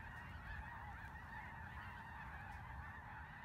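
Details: Snow geese in Vigo County: a dense, steady chorus of many overlapping nasal honks blending into a continuous wash, with a low rumble of background noise beneath.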